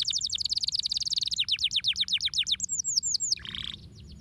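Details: Canary singing to stimulate other birds, with a very fast dense trill slowing into a rolling series of downward strokes, then arched whistles and a short buzzy note.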